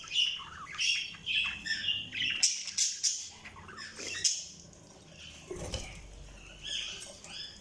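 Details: Budgies giving rapid, irregular chirps and squawks in quick bursts, with a short pause and a few dull thumps in the middle.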